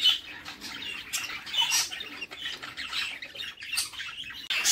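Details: Nestling budgerigars begging while the female feeds them in a nest box; grating, high squeaks in a steady stream, with louder rasping bursts near the start and the very end.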